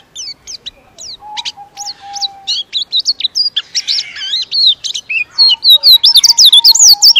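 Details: Long-duration white-eye (pleci) song, fast and showy: sharp high whistled slurs and twitters that grow denser and louder, over a steady faint low whistle in the background.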